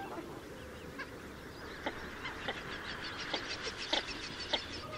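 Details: Northern shoveler (Spatula clypeata) call: six short, nasal clucking notes in quick but uneven succession, over a steady hiss of wind or water.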